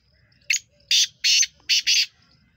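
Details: Black francolin, known locally as teetar, recorded on 23 September 2023: five harsh, rasping bursts within about a second and a half, one note, then a single note, another, then a quick close pair, over a quiet background.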